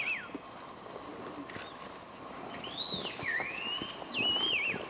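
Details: Scaly laughingthrush at Eaglenest, Arunachal Pradesh, India, giving clear, sliding whistles that rise and fall, a few phrases over several seconds, over a steady background hiss.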